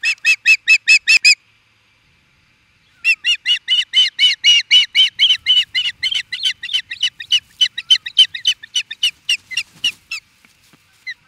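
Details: Osprey in Charlo, Montana, USA, reacting to an intruder: rapid runs of loud, high, piping chirps. A short burst is followed by a break, then a long series that gradually slows and fades toward the end.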